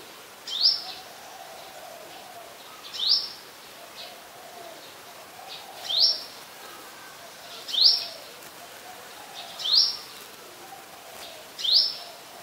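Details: Brown-throated sunbird in Ubon Ratchathani, Thailand, 2 January 2021, recorded on a Nikon P1000, giving six thin, rising, high-pitched call notes spaced roughly every two seconds, with faint low hum behind.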